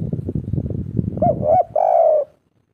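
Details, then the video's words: Local spotted dove singing 'kuk 3' style: after a second of low rumbling handling noise, two short hooting coos lead into a longer, steady mellow coo that ends the phrase. "Derkuku kuk3 lokal gacor ngamuk parah suara empuk asli lokal"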